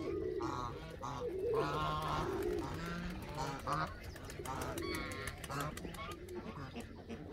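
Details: Canada geese giving a busy run of nasal honks at varying pitch, with low murmuring notes beneath and a clicking or ticking background late in the clip.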